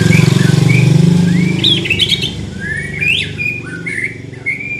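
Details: A young white-rumped shama in training sings short whistled phrases, some sliding upward, after a loud opening rumble of passing vehicle or motorcycle noise.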